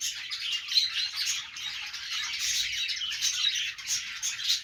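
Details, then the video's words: Budgerigar, described as happy, giving a dense, continuous warbling chatter of overlapping chirps and squawks, sustained throughout with small swells in loudness and no pauses. "Budgie Noises to make them Dance"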